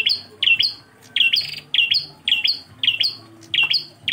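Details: Bar-winged prinia singing in engkel style: ringing high chirps in pairs and short clusters, delivered in bursts with uneven short gaps, background quiet.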